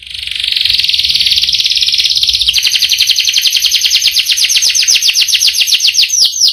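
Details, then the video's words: Long rolling canary song: a dense buzzy high trill held for a couple of seconds, then it shifts into rapid repeated downward-sweeping notes, about four per second, continuing to the end. "Burung kenari gacor ngerol panjang"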